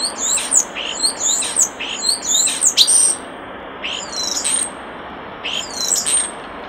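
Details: Common starling singing by a nest box: bursts of high, thin whistles and squeaky chirps in quick clusters, pausing briefly before more sharp rising and falling notes, over a steady background hiss.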